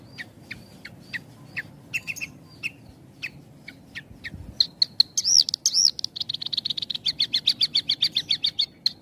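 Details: Javan bush lark singing with tight pauses, a training lure for unfinished birds: scattered thin ticks give way to arching whistled notes, then a fast, even, buzzy trill of repeated notes.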